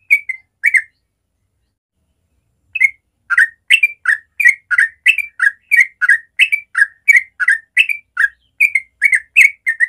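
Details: Sooty-headed bulbul giving a natural morning song in the rapid ropel style. Short burst of two notes, a pause, then a fast run of bubbly whistled notes, each a quick rising-falling pair, repeated about three per second.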